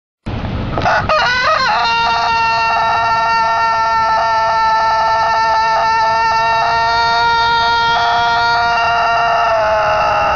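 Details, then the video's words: A rooster crows: a quick rising opening phrase, then one very long, steady, strained note held for about eight seconds before it fades. "Funny Rooster sound"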